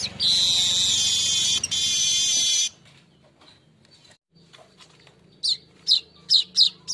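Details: Golden-headed weaver, recorded as a lure for training cage birds, gives a long harsh sizzling buzz for nearly three seconds, then after a pause a series of short high chirps about twice a second.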